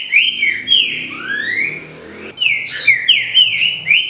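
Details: Green-winged saltator, played to prompt a captive bird to sing, gives bright whistled notes, a smooth rising glide, a short lull, then another run of quick ringing slurred notes over a soft background hum.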